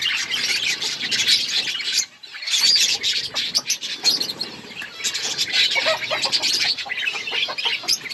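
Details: Outdoor colony of budgies keeping up a constant high chattering chorus, warbles and sharp chirps layered from many birds, with a brief lull near the second mark before the din resumes.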